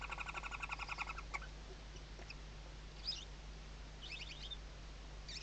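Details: Nestling Western barn owls sheltering beneath the mother at a monitored nest in the Ebro Delta, Spain, 2023: quick repeated harmonic chirps for just over a second, then a few scattered high squeaks over constant background hum.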